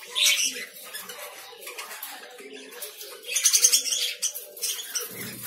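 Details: Lovebirds chattering: a shrill chirp opens, then softer twittering and a dense cluster of rapid, piercing squeaks near the middle.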